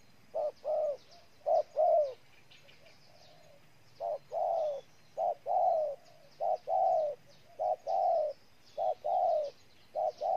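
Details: Ninh Thuận, Vietnam: a spotted dove sings steady low coos in clusters, roughly one note per second, each slightly falling at the end; soft background twitter of other birds and a faint low hum.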